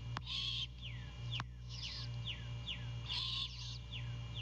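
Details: At a Savannah, Georgia nest, 05:12 on 2 April 2022, the female great horned owl calls for her mate as he delivers a bird for her and the owlet: two harsh, raspy screeches about three seconds apart between quick downward chirps, over electrical hum.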